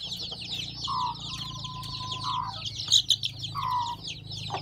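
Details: Newly hatched chicks from a hen's clutch on a farm give constant shrill peeps. Lower, drawn-out tonal notes and a steady one near the middle run beneath them, along with a low background hum.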